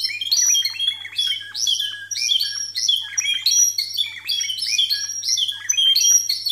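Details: Timbrado canary with discontinuous song, 92 and 93 points: loud, rhythmic repeated phrases of metallic, water-like notes dropping in pitch, repeated roughly every half second, over a light steady hum.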